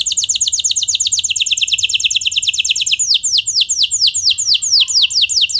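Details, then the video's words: Canary singing to provoke other canaries into answering and bursting into song: a rapid, steady stream of high downward-sweeping chirps that slows after about three seconds into more widely spaced, ringing notes. "Kenari Kondisi Apapun Pasti Nyaut! Ampuh Buat Memancing Kenari Lain, Langsung Gacor"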